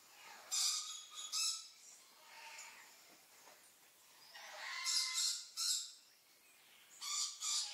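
Red-billed leiothrix giving three brisk, bright warbled phrases about a second long, with pauses of a few seconds between them.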